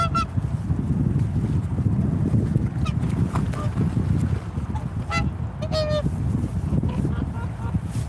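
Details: Swans give scattered nasal honks, including a loud doubled call past the midpoint, with fainter replies around it, set against a persistent low rumble.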